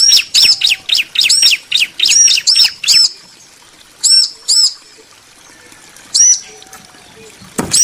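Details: Male and female bar-winged prinias calling back and forth: a quick burst of high, looping chirps for three seconds, then sparser pairs of notes with gaps, ending in a sharp click.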